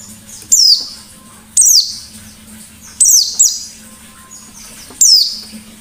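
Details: White-eye delivering ngalas-style song meant to provoke other birds: four sharp, very high chirping bursts that slide down in pitch, separated by short quiet gaps, with low background hum.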